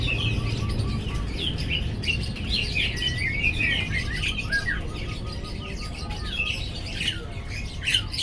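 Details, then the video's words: Lovebird of beautiful colouring singing busily in gacor fashion while learning to sing: dense tumbling high chirps and warbles run almost nonstop, with a faint evenly repeated lower tone in the background. "Burung love bird gacor"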